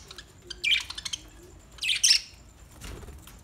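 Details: New pet budgerigars giving a few separated harsh, high squawks with quiet between them.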